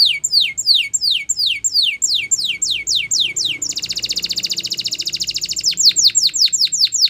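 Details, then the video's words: Spanish Timbrado canary singing a training song: evenly spaced descending whistles, then a dense continuous buzzing roll, and a return to fast falling whistled notes. "The Best Canary Training Song"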